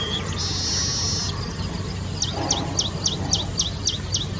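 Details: A baya weaver near Kapra Lake, Hyderabad, on 2 October 2020, gives a run of about nine short, high, downward-sweeping chips, roughly three per second, after a steady buzzy note, over low rumbling background noise.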